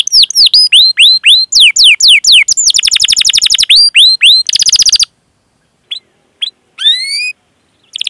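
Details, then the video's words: Chatty canary in long cuit-cuit rolling song used to coax other canaries to sing. Looping swooped whistles give way to a fast buzzy roll and a dense trill, then a pause broken by a few short chirps. "Masteran Suara Burung Kenari Gacor Panjang cuit cuit Ngerol untuk Pancingan Kenari!"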